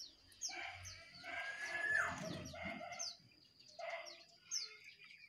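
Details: Jongkangan, one wild bird and two caged birds singing against each other: loud, harsh, overlapping calls in bursts, some with downward-sweeping high notes, repeated over several seconds with brief pauses.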